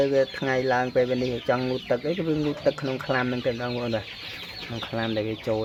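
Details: Hand-raised waterhen in a cage, not startled by people, calling when its owner holds a hand outside the cage; suited for use as a decoy. Steady run of short, deep, harmonic honks, about two per second, with talking.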